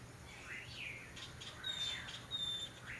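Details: Mockingbirds singing high notes through jasmine bushes in spring: a loose series of thin, high whistles and slurred phrases, including one longer steady whistle, over a faint background hum.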